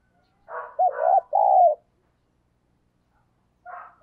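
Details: Morning call of a decoy spotted dove summoning wild doves: rough introductory notes run into two quick hollow coos and a longer one, then silence and a last soft rough note.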